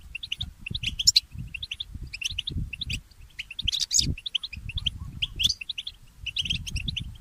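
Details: Goldfinch mule, a goldfinch hybrid, singing in the early morning: short bright chirps and twittered notes in quick bursts, with brief pauses between phrases and a low rumbling background underneath.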